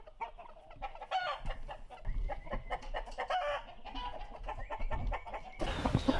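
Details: Gamecocks bred for sale on a farm in Phayao, Thailand, give hoarse, harmonic crowing bursts mixed with short clucks over a steady background murmur, ending in a burst of broadband noise.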